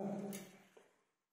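An Indian ringneck parakeet gives a brief, low, voice-like spoken syllable with a breathy click, then one faint short note as the sound fades out.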